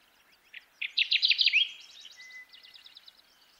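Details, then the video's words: Kirtland's warbler, the jack pine warbler: a loud burst of rapid, chattering notes rising in emphasis, followed by softer repeated notes and a thin level whistle, in a quiet background. "Kirtland's Warbler Bird Sound"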